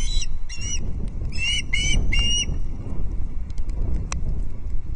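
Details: Osprey chick at Loch Arkaig on 19 August 2022 during feeding with fish; a short burst of five shrill piping squeals in the first half, followed by wind noise and a few faint clicks.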